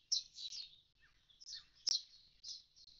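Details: Common starling by an empty nest box after the young flew off: short squeaky chattering phrases separated by brief gaps, with one sharp click and a faint lower whistle.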